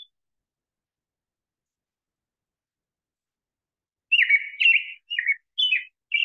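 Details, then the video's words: An American robin sings five short, rich whistled phrases in quick succession after a long silence, rising and falling like "cheer-up, cheerio". "and now when you listen to the American robin see if you can hear any of that cheer up cheer Cheerio"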